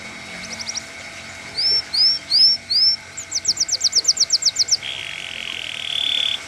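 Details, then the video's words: Yellow canary, fighter type, singing a few quick notes, then four arched whistles, a fast rattling trill of repeated notes, and a sustained buzzy tone, with a faint steady hum behind. "CANARY YELLOW CANARIO FIGHTER"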